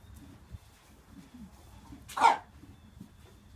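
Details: Single sharp, croupy bark resembling a cough from a healthy-looking three-year-old buff Brahma hen in a free-range flock; faint low murmurs and rustles around it.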